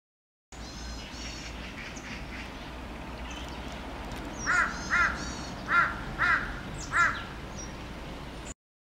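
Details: Large crow flock sitting on power poles in a Korean town; distant murmur of many birds at first, then five clear harsh caws spaced unevenly near the end.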